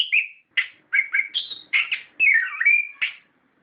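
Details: Song of an orange-headed thrush played to stimulate captive birds: separate whistled and rasping phrases, some sliding downward, a longer warbled trill near the end, with short gaps between notes.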